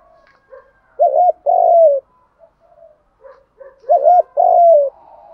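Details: Male and female spotted doves giving the stimulating coo used by dove keepers: two mellow phrases, each a wavering short note leading into a longer, downward-sliding coo, with soft chirps in between.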